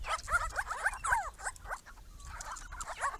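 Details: A group of Grey-crowned Babblers visiting a pond built for them on a property, monitored since 2014, chatters with quick, overlapping, yelping and mewing notes, several each second; faint low rumble behind.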